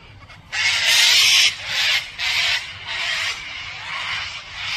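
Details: Harsh cockatoo screech, a long loud rasping burst of about a second, then three or four shorter, slightly weaker grating squawks in quick succession.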